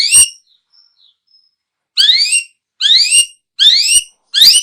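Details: Long-tailed shrike recording intended to lure birds: one sharp note and faint whistles, then four loud buzzy rising sweeps repeated roughly every 0.8 seconds.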